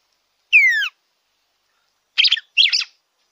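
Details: Red-cowled cardinal song to warm up a captive bird: one loud downslurred whistle followed by two quick buzzy, warbled bursts in close succession.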